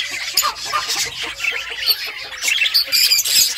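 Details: Budgerigars keep up lively chirping: quick repeated high squeaks and scratchy warbled notes, several birds calling over one another.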